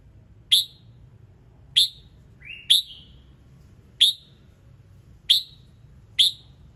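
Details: Red-whiskered bulbul singing in the morning to trigger other birds: six sharp, bright chip notes spread over several seconds, one preceded by a short rising whistle, with steady low background noise.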